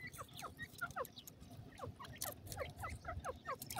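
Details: Rapid, overlapping piping from ring-necked pheasant chicks on grass: short falling cheeps several times a second, with soft rustling underneath.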